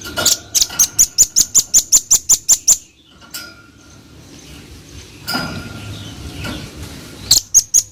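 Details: Velvet-fronted nuthatch delivering a fast, even run of about a dozen piercing high chips over two seconds. A pause follows, then a fresh burst of the same rapid notes begins near the end. A faint constant hum runs throughout.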